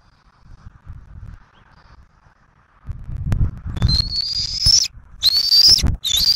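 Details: Bald eagles at a Southwest Florida nest on 15 March 2024, parents arriving with turtles to feed an eaglet. Shuffling and rustling noises first, then loud thin whistled calls rising slightly, in bursts during the last half.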